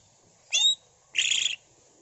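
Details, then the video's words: Greater green leafbird showing its mimicry in ngentrok style: a short high whistled phrase, then a harsh, fluttering buzzy burst, over a faint hiss. "CUCAK IJO GACOR BONGKAR ISIAN NGENTROK"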